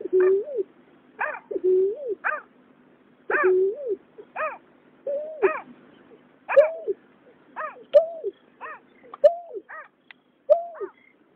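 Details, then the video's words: Water rail male and female calling in 2021, used to lure migratory birds at night: low, drawn-out rising-falling notes interleave with sharp downward-arching harmonic calls, repeated steadily over faint hiss. "Tiếng nhát hoa, cà cuốc trống mái"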